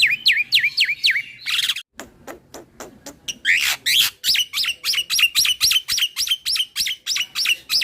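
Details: A black-winged starling pours out a nonstop rolling song, bobbing its head to stir up rival starlings. Looping whistled notes dip and rise, then brief scratchy chatter, then a long fast series of repeated upswept whistles.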